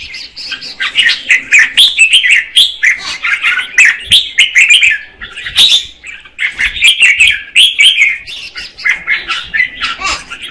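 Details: Female red-whiskered bulbul singing to stimulate a male: lively jumbled warbling of chirps and slurred notes in long bursts, with a couple of brief gaps.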